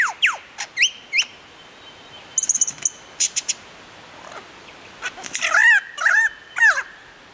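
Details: Lyrebird performing on a mound near Warburton, Victoria, imitating several other birds: sharp descending whistles, rapid high trills and cracking notes, then louder looping warbled phrases repeated near the end.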